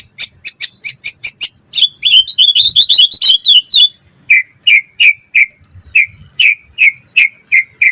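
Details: White-rumped shama, a caged bird used to tutor other songbirds, starting with fast sharp high chips, then a busy trilled passage, then evenly spaced clear whistled notes repeated about three times a second.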